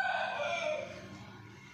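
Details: Rooster crowing, called murga ki azan: the drawn-out tail of a crow, several stacked tones gliding slightly downward and fading away within about a second, with a faint low hum behind.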